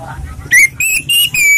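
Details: Relaxed song of an orange-headed thrush, suitable for luring other birds: three or four loud, clear whistled notes in quick succession, each a bright sustained tone, with low murmured speech behind.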